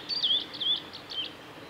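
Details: Male blue-and-white flycatcher singing at Lake Miyagase, Kanazawa forest road, Japan, on 17 May 2020; clear whistled phrases sliding down, three short notes spaced about half a second apart over a quiet background.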